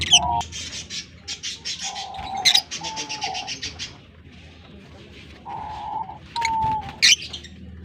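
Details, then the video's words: Chirping from a colony of breeding African lovebirds in Larkana: quick series of harsh, high chirps in short trains, broken by flat whistled notes and a few sharp clicks. "African Love Birds colony Breeding Setup and beautiful chirping sound voice"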